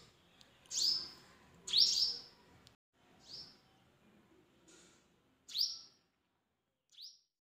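Purple Sunbird giving sharp, high, downslurred chips, about one a second with uneven gaps, over faint background noise.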